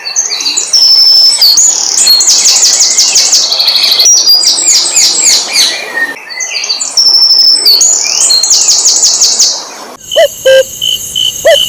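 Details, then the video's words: Asian brown flycatcher song used to stir other birds into singing. Loud, lively phrases of rapid high chirps and sweeping whistles come in repeated runs, then a brief quieter ending with a few separate notes. "SUARA BURUNG SIKATAN LONDO ,MEMANCING SEMUA BURUNG GACOR"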